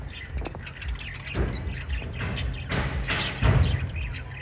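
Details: A group of five lovebirds chirps loudly, giving shrill twittering notes in irregular clusters that grow denser toward the end, over a low rumbling background.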